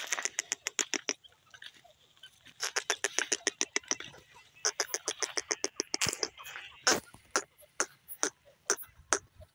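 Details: Grey francolin giving runs of quick, harsh pulsed notes in repeated bursts, becoming more irregular later with scattered louder clicks and a background hiss.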